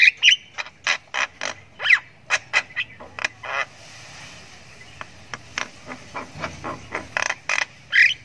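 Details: Javan myna youngster's ngriwik while it learns to sing: sharp broadband clicks and harsh chirps in irregular runs, a brief quieter gap midway, a rough squawk at the end.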